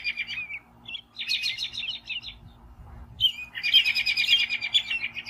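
An American robin sings bursts of dense, chirpy warbled phrases, high-pitched and jumbled, separated by short pauses over a faint low hum.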